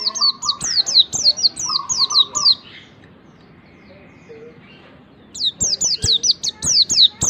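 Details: White-eye song used as a lure to prompt a pleci to start singing quickly: rapid series of high, sharply falling whistled notes, about four per second, with a lower buzzy note beneath, pausing two seconds before resuming.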